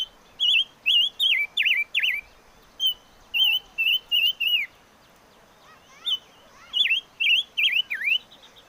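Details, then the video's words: A five-coloured bird (chim ngũ sắc) sings bursts of rapid, tremulous whistles: several quick wavy slurs in a run, a short gap, another run, a longer pause, then a closing burst of dipping and rising notes. "Suab Noog Quaj || Chim ngũ sắc hót hay"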